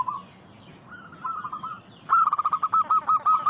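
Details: Vocal local zebra dove song played to lure wild doves into answering: soft cooing phrases give way to a long, loud series of fast, pulsing coos at a steady pitch, around a dozen beats.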